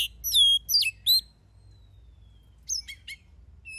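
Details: Oriental magpie-robin in full song, used as a lure to provoke other birds into singing: bright, sweet whistled notes and sliding phrases, then a pause and a second burst of sharp, varied chirps.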